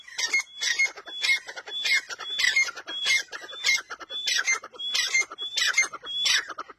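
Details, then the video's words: Grey francolins calling in harsh, ringing, repeated phrases roughly every half second to second, with rasping overlapping notes that suggest two birds calling together. "Teetar sound | teetar awaz | teetar ki awaz | dakhni teetar awaz"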